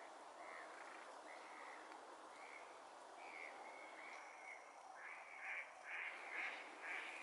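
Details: Common teal in Bucharest, Romania: a series of short, faint whistled notes repeated roughly twice per second, growing louder and more clipped toward the end, set against a steady broad hiss of background noise.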